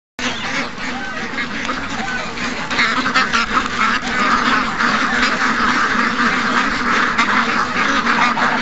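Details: More than 700 ducks and geese in a morning rush, recorded August 12th, 2015: a dense, continuous chorus of overlapping quacks and honks that swells in loudness after the opening seconds.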